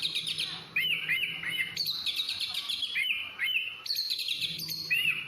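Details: Oriental magpie-robin singing loud, clear whistled phrases: long level notes broken by quick upslurred and looping notes, in bursts separated by short gaps.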